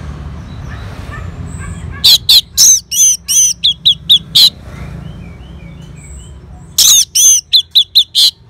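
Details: Orange-headed thrush (anis merah) answering a lure sound: after a quiet start, two rapid bursts of loud, varied whistled notes, sharp chips and slurred phrases, with faint distant twitters in between.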